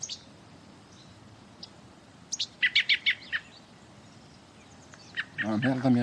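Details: American robin in autumn in the Montreal region, Québec, on southward migration; the observer thinks it is nervous. It gives a quick run of about six sharp, high chirps in two seconds after a few fainter notes, and a man then speaks.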